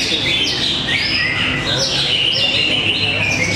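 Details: Greater green leafbird singing contest in Tapos, Depok: dense, loud whistled phrases with rising and falling slurs repeating rapidly, several singers overlapping above a low background hum of people.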